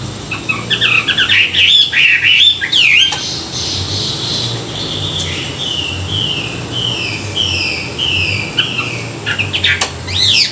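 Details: Morning song of a Chinese hwamei used for song training: a steady run of clear whistled phrases, many short down-slurred notes repeated in series, with quick twisting notes between them.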